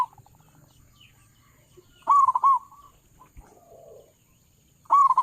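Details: Local zebra dove with a big voice, used as a lure for bird trappers: a loud clipped burst of hooked, ringing coos, a soft purring trill after it, then another loud coo burst at the end.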